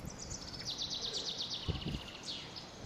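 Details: Blackbird nestlings in a nest inside a shed, being fed insects; a rapid series of high, thin, scratchy begging notes runs through the clip, with low thumps and rustling from the nest.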